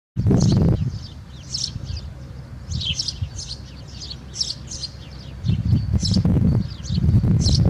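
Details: House sparrow singing inside a swallow's nest at Alikes, Kitros, Greece; short bright chirps repeated rapidly in bursts, partly masked by heavy low rumbling and rustling noise near the start and end.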